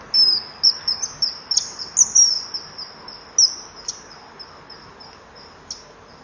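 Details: Male common kingfisher calling in a breeding-wall burrow at 20:44 on 23 July 2015 after driving off a juvenile. A rapid string of piercing high whistles, dense at first, then thinning out and fading toward the end.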